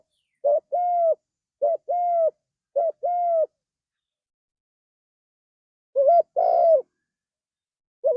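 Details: Spotted dove, a lively singing bird used as training material, cooing in clean mellow phrases: a short note followed by a longer level coo, repeated three times about a second apart, then after a pause another short-long pair, with no other sounds.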